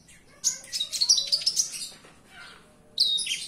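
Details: Javan bush lark indoors giving a short burst of high, rapid chirps and buzzy notes, a brief pause, then another sharp high phrase.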